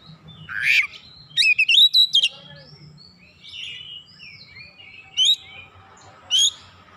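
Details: Oriental magpie-robin (kacer) song used as a lure to spur other birds into full, lively singing that shows off its repertoire. Bursts of sharp whistled notes and rapid chattering phrases, some rising sweeps, separated by short pauses over a faint low hum.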